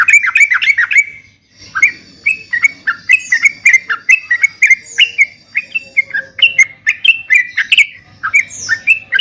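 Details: Lively yellow-vented bulbul song meant to stir caged birds into replying: a long run of quick, slurred whistled notes, each dipping and rising, repeated steadily with brief gaps.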